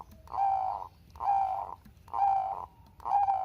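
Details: Zebra dove of the Bangkok type, a lure recording meant to prompt lazy doves to sing: four mellow, even cooing notes of steady pitch, each about half a second long, spaced roughly one per second over a quiet background.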